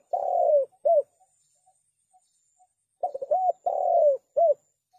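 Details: Spotted dove cooing, a recording meant to lure doves into traps. Two phrases of mellow, slightly rough coos, each a drawn-out purring note followed by a short rounded one, separated by quiet with soft regular ticks.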